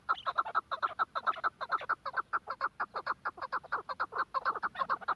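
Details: Chukar partridge from Quetta giving a fast, steady series of harsh clucking notes, about two per second and then quicker, each note a short broadband chuck with no other sounds.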